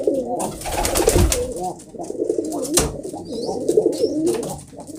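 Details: Pigeons cooing in dense overlapping low, rolling phrases, with wing claps and scuffling sounds breaking in, especially around the first and third seconds.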